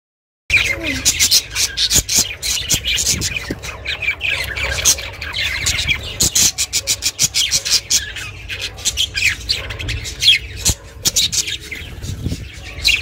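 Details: Pet budgerigar chirping, recorded as company for budgies kept alone; dense busy chatter of sharp clicks, short tweets and warbled notes running almost nonstop after a brief silent start, with a low hum underneath.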